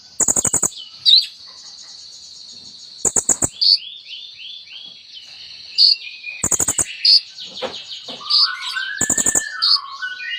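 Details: Sunbird song full of mimicked phrases, used to coax a silent sunbird to sing: a sustained high trill with a run of descending slurred notes, a low wavering whistle, and spaced bursts of rapid clicking.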